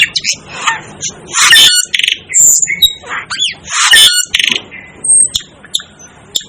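Asian glossy starling giving harsh squawks mixed with sharp, high whistles and metallic clicks in quick, irregular bursts.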